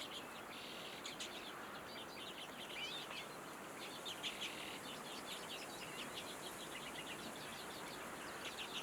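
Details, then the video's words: A flock of redpolls keeps up a busy, overlapping chatter of short, dry ticking notes, many birds calling at once over a steady background hiss. "Auðnutittlingur - Redpoll"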